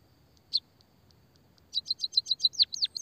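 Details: A single chirp and faint ticks precede a white-headed munia's rapid run of high chirps turning into downward-swooping notes, played to lure and stimulate other munias to sing.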